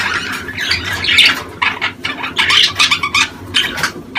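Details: Budgerigars calling during the mating season to encourage breeding: rough squawking chirps and buzzy warbled notes in uneven runs, a short lull near the middle, then quick clipped bursts.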